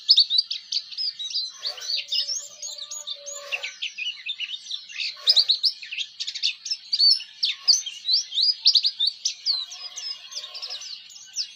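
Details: Dense, unbroken high-pitched chatter from an Oriental white-eye, a ngeriwik style song meant as a master recording for training other white-eyes, rapid twitters and short trills running for over ten seconds.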